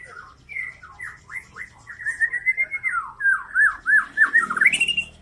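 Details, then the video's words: White-rumped shama, a young speckled-plumage bird kept caged as a lure to prompt other shamas to sing, delivering a rich whistled song of rapid slurred notes near mid pitch, later rising and falling in quick repeated loops. "MURAI BATU GACOR || Pancingan Murai Batu Trotol,langsung nyaut"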